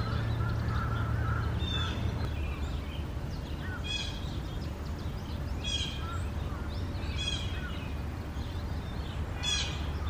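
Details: Starling nest box with four chicks, 4 May 2019, parents coming and going: harsh, clicking rasps every second or two, with a few faint chirps early on, over steady low hum.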